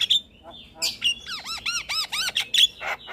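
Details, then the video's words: Starling song meant to stir caged starlings into singing: a short, sharp whistle and raspy bursts, then a series of five or so looping, bouncing whistled notes dipping and rising in quick succession, ending with harsh chatter. "Terapi Semua Jenis Burung Jalak Sekali Putar Jalak Macet Bunyi Seketika Nyaut"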